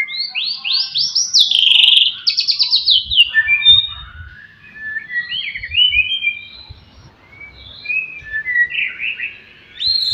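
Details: White-rumped shama (murai batu) in song to provoke rivals: buzzy opening, fast trilled run of sharp repeated notes, then a string of clear whistled phrases at varied pitches, with soft low thumps beneath.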